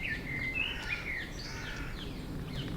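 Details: A common blackbird, perched on a branch directly overhead in an overgrown, wooded London cemetery, sings mellow, fluty warbled phrases with a few higher squeaky notes over a steady low background rumble.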